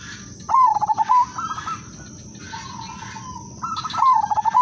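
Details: Udanmas silver zebra dove singing as a lure bird: a quick trilled coo falling and ending in a sustained note, then higher soft phrases, a long even tone, and another trilled coo at the end.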